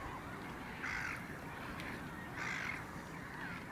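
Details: Caspian gull, a single individual recorded on 9 March 2016, gives two harsh, nasal calls about one and a half seconds apart over a steady, low background rumble.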